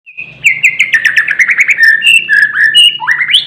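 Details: Oriental magpie-robin singing actively: a rich, varied run of clear whistles, quick chirps and slurred notes that rise and fall, delivered continuously with little pause, ending on an upward whistle.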